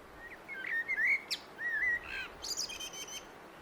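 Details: Singing common blackbird delivering rich fluty whistled phrases that rise and fall, then a rapid scratchy high twitter at the end of the strophe, against a soft outdoor hiss.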